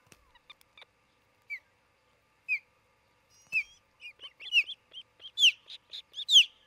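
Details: Osprey at a nest near Charlo, Montana, on June 27, 2018, late morning, recorded by a nest camera. Scattered faint ticks give way to a series of high, downslurred whistled chirps that grow louder and quicker toward the end.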